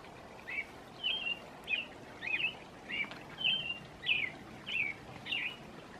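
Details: American robin singing its evening song outdoors: short clear whistled phrases, rising and falling, repeated about every half second in a steady carolling series over soft background noise.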